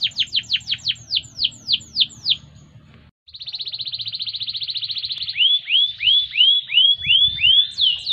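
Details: Canary song meant for training: about eight quick descending whistled sweeps, a brief pause, then a fast buzzy trill on one pitch, ending in a run of curved, rolling notes.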